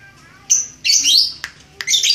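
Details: Red-headed lovebird practising its trilling ngekek. A short whistle comes first, then a long shrill grating burst, a click and another harsh burst.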